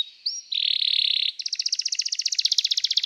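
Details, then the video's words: Canary singing for training: a short rising whistle, then a steady buzzy trill, followed by a rapid pulsed roll of even notes repeated many times a second. "O som do canário cantando é muito gostoso! melhor treinamento para canario"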